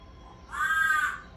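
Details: Pet African grey parrot indoors yelling "Mom" in imitation, calling for its owner. One loud, drawn-out, hoarse cry lasts about half a second, holding steady and then fading, over low room noise.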